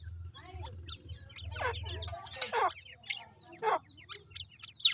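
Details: Housed grey francolin chicks give scattered thin peeps and short downward chirps, interrupted by loud scuffling noises, with a low intermittent hum behind.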